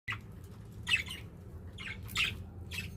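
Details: Pet budgerigars chirping indoors: a few short, harsh, buzzy squawks spaced about a second apart over a low room hum.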